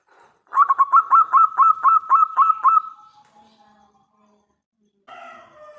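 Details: Zebra dove of local stock, big-voiced and in full song, played to prompt answers from other doves: a rapid run of about eleven clipped cooing notes on one level pitch, trailing off, followed by faint murmuring and a brief honk-like sound.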